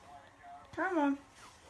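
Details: Parrot talking: a single short word-like utterance of about half a second, voiced and wavering in pitch before sliding downward, set in a quiet room with faint low tones before it.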